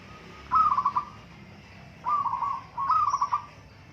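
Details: Local zebra dove song contest: three loud stuttering coo trills, each a quick string of beaded notes that fades slightly at the end, the last two close together.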